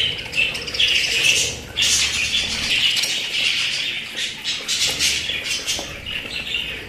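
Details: Pet budgerigars chirping and warbling, loud scratchy chatter at the start easing to softer, overlapping notes toward the end.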